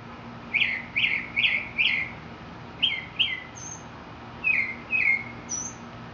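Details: Mockingbird in Mexico repeating a loud, sweeping whistled note four times in quick succession, then shifting to paired falling notes and thin high squeaks.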